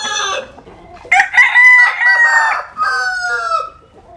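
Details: Rooster sunbathing in the western region of Vietnam, crowing a harsh, harmonic, multi-part cock-a-doodle-doo. A short lead note is followed by a loud drawn-out middle and a falling final phrase.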